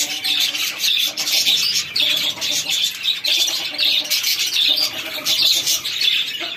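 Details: A flock of chicks at feeding time makes continuous high-pitched cheeping, with individual sharp notes standing out from the busy chorus.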